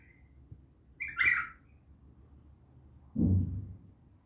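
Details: Bulbul giving a single short, loud warbled phrase with a sharp rising note, followed after a pause by a dull low thump and faint background hum.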